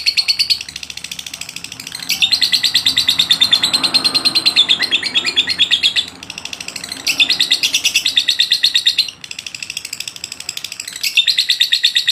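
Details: Long ngotot lovebird song used as masteran: repeated stretches of rapid, shrill chattering notes, each lasting a few seconds, separated by brief softer lulls.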